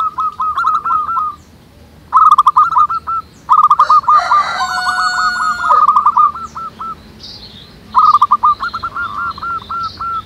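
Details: Busy wild chorus of local zebra doves, with bursts of fast, hooked coo notes separated by short pauses. A loud, honking, harmonic call from another bird cuts across the middle.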